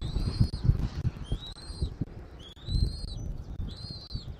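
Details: Eagle calling at its nest in Southwest Florida on 13 January 2024. Long, high whistled notes glide upward, and a few shorter chips fall between them, all over low wind and rustling.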